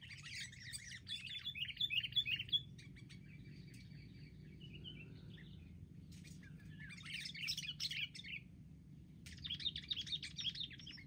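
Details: Wild sooty-headed bulbuls ganging up in an attack during bird trapping: bursts of rapid, chattering, slurred notes in three clusters separated by pauses, over a steady low background hum.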